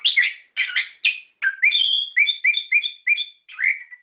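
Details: A loud, gacor orange-headed thrush song for luring captive birds into song: harsh chattering notes, then a series of five similar two-part whistles repeated rapidly, closing with a descending slur.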